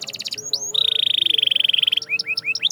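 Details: Canary singing, used to encourage silent canaries to sing: a brief fast trill and a rising note, then a long buzzy rolling trill held for over a second, ending in separate upward chirps.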